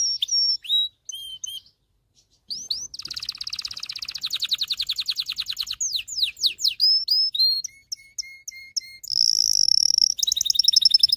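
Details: Singing canary, meant to train males to sing and to prepare females for mating, runs through varied phrases: clipped whistles, a fast rattling trill, swooping slurred notes, level piping notes and a shrill buzzy roll at the end.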